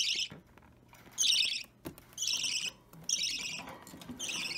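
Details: Baby budgie about three weeks old being hand-fed, opaline or normal green, restless; loud rasping, buzzy calls in bursts roughly every second, separated by short quiet pauses and soft clicks.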